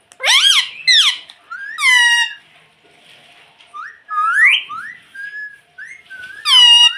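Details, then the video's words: Ring-necked pet parrot mimicking the word "mummy": clusters of sharp arched harmonic calls with longer falling notes, quiet soft whistles in the middle and a final loud burst. "Bolne wala tota || talking parrot || mummy bolne wala tota"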